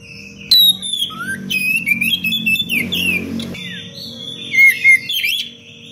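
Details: Oriental magpie-robin pouring out a dense, varied 'cengkok rapat' song for training other birds: sliding whistles, trills and rising slurs blend continuously, with a brief burst of rough noise midway and a low hum throughout.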